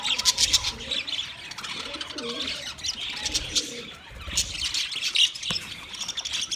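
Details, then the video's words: Budgies chattering together in a steady stream of high, scratchy chirps and warbles, with short clicks and a few lower murmuring notes mixed in. "Budgies chirping sounds for lonely bird"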